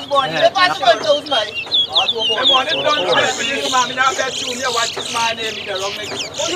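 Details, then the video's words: Chestnut-bellied seed finch (towa towa) in a singing competition at Lusignan, Guyana: rapid twittering and sweeping whistled phrases run almost continuously, partly masked by loud men's voices and crowd chatter. "TOWA TOWA BIRD SINGING COMPETITION"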